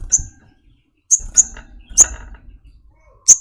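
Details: Brown-throated sunbird, locally sogok ontong, repeating sharp, thin high chips at an uneven pace, some in quick doubles, with soft low rustling between notes.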